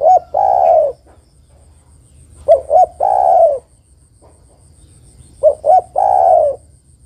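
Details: Spotted dove female calling her mate with repeated phrases: a brief double note then a long, smooth, falling coo, given three times about three seconds apart in a quiet setting.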